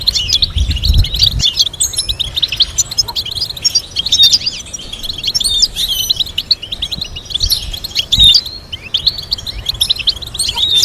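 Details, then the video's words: Long stretch of European goldfinch song used to teach goldfinches complex stimulating melodies: ceaseless high, liquid twittering with scattered thin whistles, a brief low thud near the start and another around eight seconds. "Teaching goldfinch to sing complex stimulating melodies"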